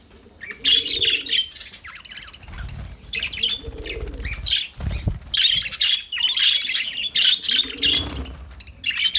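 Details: Lovebird song of shrill squawks and high chattering in uneven bursts, with occasional wing flutters and low thumps, and quiet cooing notes underneath.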